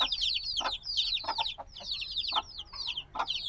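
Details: Recently hatched black chicks peep shrilly in close overlapping bursts of high falling notes, some louder and nearer, punctuated by a few soft dull knocks.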